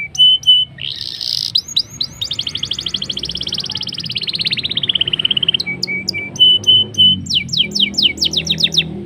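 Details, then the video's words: Black-throated canary song used to get canaries singing: clear whistles and a buzzy note, a long fast trill sliding gradually lower, then flat whistles and a run of quick sharp upswept notes. "BLACKEN GACOR NGEROL NEMBAK MANTAP.. Ampuh Pancing Kenari Cepat Bunyi"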